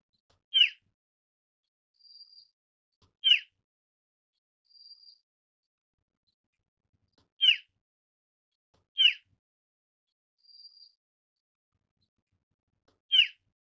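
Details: Asian brown flycatcher calling: short, harsh, rasping notes spaced irregularly, five in all, with three faint, thin, level high whistles between them. The background is otherwise quiet.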